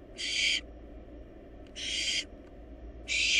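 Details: Three loud, breathy screeching hisses, each around half a second long, from wild barn owl nestlings swallowing a large rabbit inside a monitored nest box; faint hum between calls.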